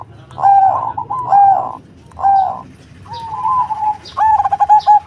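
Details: Zebra dove of the cemani variety in loud, full-voiced song: three separate burry coo notes about a second apart, then two long trilling, rolling coos.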